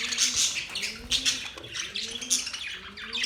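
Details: Budgies chirping in courtship: loud, harsh squawks and rapid chatter in short surges, over faint, gently rising low tones that repeat.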